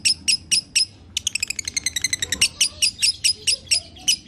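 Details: Lovebird sound played so a lovebird will sing again: a few spaced chirps, then a quick stuttering rattle that slows into repeated harsh, high chirps.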